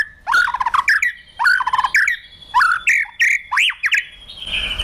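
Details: Trained White-rumped shama, provoked into fighting song while tail-flicking on its perch: clear whistled phrases in quick bursts about every second, ending with looping rising-falling notes and a held high tone.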